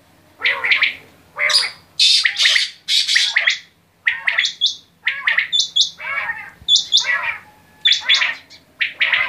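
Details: Quail calling steadily in phrases of harsh, chirpy notes interleaved with short, clear, high paired pips, with phrases spaced roughly one second apart.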